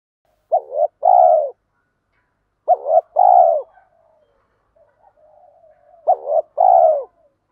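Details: Spotted dove decoy call intended to excite other doves, urging 'thúc gù' style: three phrases of a short stuttered pair of notes leading into a long, soft, descending coo, with a faint murmuring coo between the last two.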